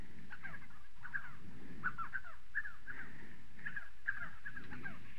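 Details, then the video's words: Spotted sandgrouse in South Morocco calling steadily, harsh, slightly gurgling notes repeated more than once a second by several birds, over a continuous low rumbling background. "Ganga-tacheté, Spotted sandgrouse"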